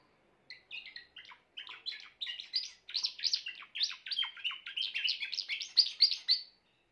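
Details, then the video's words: Grey Timbrado canary singing: a continuous run of rapid chirped and warbled syllables, many descending sweeps repeated about four per second in short rolling bursts, growing louder toward the end, in a quiet indoor setting. "meilleur chant canari timbrado l chant d'un canari timbrado gris"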